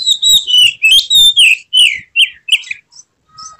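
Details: White-rumped shama singing in an emotional display with tail spread: a loud, rapid series of rich slurred whistles and sweeping notes, each about a quarter second, tailing off into a few scattered chirps and a faint steady tone.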